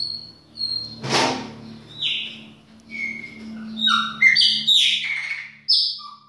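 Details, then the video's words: Chopi blackbird singing indoors in a kitchen. A noisy click opens the passage, then a medley of whistles, rising slurs and chattering notes follows, with a low steady hum underneath. "PÁSSARO PRETO BAIANINHO DA UMA PALHINHA NA COUZINHA !"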